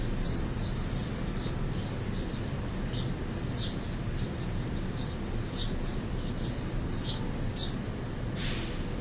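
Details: Song of a mature male Anna's hummingbird announcing the feeder deck he defended as territory for six weeks; long run of thin, scratchy, squeaky buzzes, ending with a brief pause and one harsher burst, over low rumbling noise.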